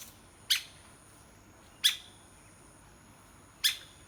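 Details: Three crisp knocks from a pecking woodpecker in about four seconds, sharp-edged and bright with a quick fading ring, in an otherwise quiet setting with a thin high hum.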